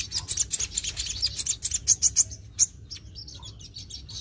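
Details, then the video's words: Sogon in full, shooting song to agitate other sogon: a dense, fast run of high sharp chips and clicks for over two seconds, thinning into softer high twitters, with low background hum throughout. "Bikin sogon lain cepat emosi | Sogon gacor full nembak"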